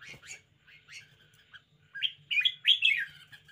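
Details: Red-whiskered bulbul kept as a cage bird, showing off its energetic style: thin rising slurred notes build into louder, rich warbling phrases near the end, with a steady low background hum.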